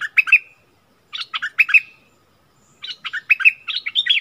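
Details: A wild bulbul sings while duelling with a kept bulbul in Thailand: three bursts of bright, bubbling chirped phrases about every one and a half seconds, mid-to-high pitched and lively, with a quiet background.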